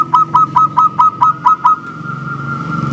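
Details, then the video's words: Local Zebra dove giving a clear 'engkel' song: eight evenly spaced, bubbly cooing notes in quick succession over about two seconds, then only a low background hum. "SUARA PERKUTUT LOKAL GACOR, JERNIH ENGKELnya BIKIN RAMAI SAUTAN"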